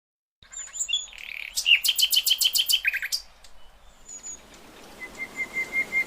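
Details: Common nightingale singing in the wild: a high thin whistle, a fast run of about eight sharp repeated notes, a low buzzy pair, then a slow series of pure level whistles at evenly spaced intervals.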